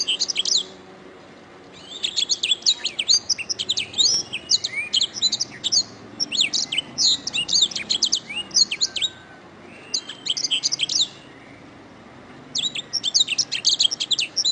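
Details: Canary song from a master recording used to teach other birds to sing: dense bursts of rapid high trills and sharp chirps. Song runs in long phrases broken by short pauses, then resumes near the end.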